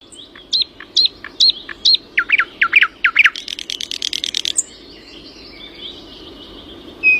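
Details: Birdsong in the early morning: short rising whistled notes repeated in quick succession, then a run of sweeping slurred notes and a fast, dry buzzing rattle lasting over a second, followed by quieter distant chirps.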